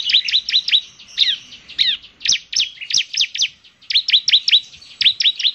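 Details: Bar-winged prinia, called ciblek semi, in active song meant to set other prinias singing: fast strings of high, sharp zigzag notes, some twisted slurs, in phrases of a second or so with brief breaks.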